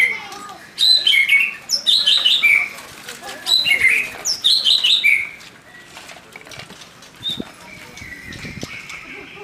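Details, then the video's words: Young wild white-rumped shama in forest, loud song: clusters of bright whistled and chattering phrases around the middle pitches, bursts separated by short pauses, then quieter scattered notes. "Murai muda hutan volume tembus - Burung kicau"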